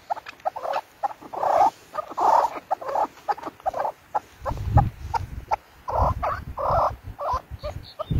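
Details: A chukar partridge gives clear, hoarse chuck notes in short bursts separated by pauses. The series swells and fades across the recording, with a brief low thump and faint background noise in the middle.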